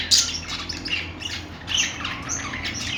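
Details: Budgie chirping: a loud opening squawk followed by warbled, slurred rising and falling squeaks from more than one bird, over a soft low hum.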